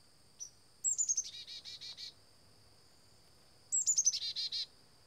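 Black-capped chickadee giving two chick-a-dee calls: thin, high opening notes, then five or six buzzy dee notes. A faint steady high whine runs underneath.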